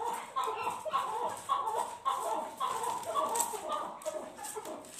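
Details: Chukar partridge calling amid a fight: bursts of quick chuck notes in short clusters, steady middle pitch, fading slightly near the end, with faint background voices or noise.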